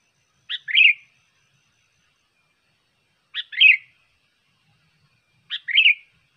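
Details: Lure recording of a sooty-headed bulbul. Three bubbly two-part phrases, each a brief sharp note and then a liquid warble, are spaced about two and a half seconds apart. No other sounds are present.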